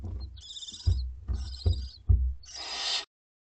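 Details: At dinner time, two-week-old barn owlets in a school garden nest give raspy hissing begging calls, short bursts then a longer screech, mixed with low thuds and rustling.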